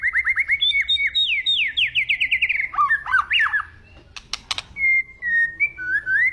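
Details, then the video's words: Agitated white-rumped shama song opening with fast runs of repeated downslurred whistles, then a tangle of varied notes, a few sharp clicks, and slow, sustained clear whistles with a rising finish. "BAHAYA NANTI MURAI MU NGAMUK"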